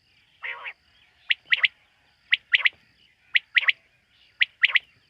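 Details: Common quail heard at night, opening with a low, rasping note, then crisp three-note phrases of one note and a fast double, repeated about every second in otherwise quiet surroundings.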